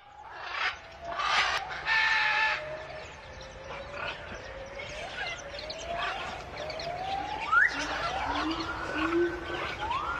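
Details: Wild nesting, breeding macaws give two harsh, raucous squawks in the first two seconds, then a run of softer, rising whistled notes, one every second or so.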